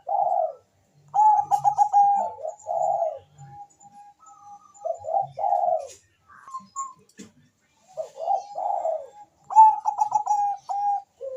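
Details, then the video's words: Zebra dove (perkutut bangkok), a lively singer kept to stimulate mating readiness and singing: mellow rhythmic cooing phrases, a quick stuttering run of notes followed by longer rounded coos, repeated in several bouts with short pauses. "perkutut bangkok gacor suara merdu cocok untuk mendongkrak birahi dan bunyi"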